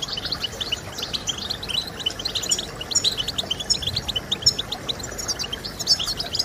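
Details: Singing European goldfinch for motivating other goldfinches to sing, a continuous high chatter of short clipped chirps with brighter accented notes every second or so over faint hiss.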